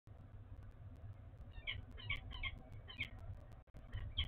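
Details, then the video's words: A Peregrine Falcon in Oudenaarde, Belgium, during pair bonding on 11 Feb 2021, gives a quick run of high, squeaky, chirping calls, about two a second, over a steady low rumble of wind or traffic. "Peregrine Falcon - Bonding"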